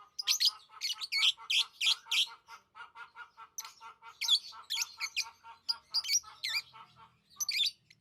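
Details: Lovebird chirping: loud, shrill squeaky notes over a steady, fast train of lower clicking pulses, the chirps coming in runs and breaking off near the end.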